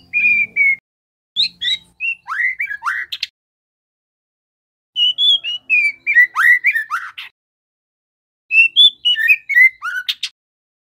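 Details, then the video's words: A young, speckled ('trotol') white-rumped shama sings in three bursts of varied whistled notes and chattering slurs, some sharply rising, separated by short silences. The song is used as a recording to prompt captive birds to sing. "Murai batu trotol agar cepat bunyi ‼️ Suara pancingan MB bahan supaya GACOR"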